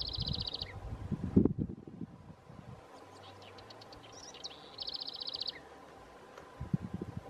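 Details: House wren vocalizing at Lago Sofía, Magallanes Region, Chile, giving two short, dry, buzzy rattles about five seconds apart, with a few thin high notes between, over low rumbling background noise.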